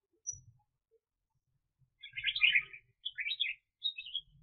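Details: Red-whiskered bulbul serving as a trapping decoy in 2021: after a quiet start, a loud jumbled warbling phrase, then two shorter bright chirpy bursts; low bumping noises underneath.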